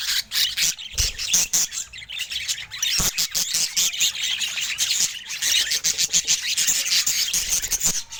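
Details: Budgerigar said to look very happy today; continuous shrill chattering with rapid clicky chirps and squawks, steady and dense throughout.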